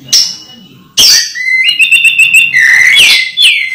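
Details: Moulting captive orange-headed thrush: two sharp opening notes, then a long, steady whistled line with a fast trill over it, ending in bright falling whistles.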